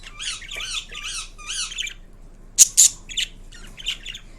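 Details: Indian ringneck parrot making unusual sounds: four repeated warbling, up-and-down whistled phrases, then a pause, then sharp shrill squawks and a few softer chattering notes.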